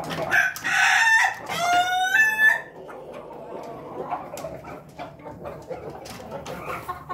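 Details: Crowing Pelung chicken: a short, loud burst, then a harmonic crow with quick rising notes lasting about two seconds, followed by quieter clucks and clattering noises.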